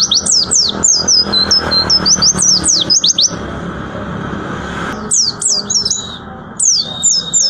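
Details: Market star white-eye in tembakan song: rapid clusters of shrill descending notes and brief twitters, a loud broadband noise in the middle, then further quick falling phrases.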